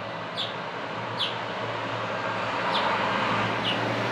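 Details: Four quick, sharp chirps from an adult male house finch in Elkridge, Maryland, 9 April 2024, spaced roughly a second apart and partly masked by loud, continuous traffic.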